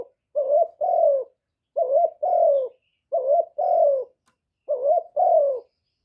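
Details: Spotted dove lure bird cooing to stimulate and attract other doves, recorded without background noise: paired coos, a short note then a longer falling one, repeated four times at steady intervals with quiet gaps.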